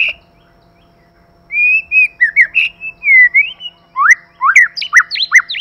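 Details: White-rumped shama, male and female in a 'kích lửa' session: a long, smooth whistled phrase that wavers up and down, then a rapid burst of loud, bright, sweeping notes.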